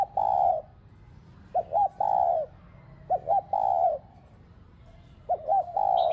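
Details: Cooing spotted dove, used as a lure to stimulate pet doves: low, hollow phrases of two quick notes leading into a drawn-out coo, three full phrases separated by quiet gaps of about a second.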